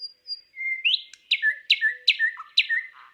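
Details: Thrush nightingale singing in Palupõhja, Estonia: faint high thin whistles open, then a steady run of five loud, sharp clicking strokes, each trailed by a short lower warbled note, repeating about every 0.4 seconds.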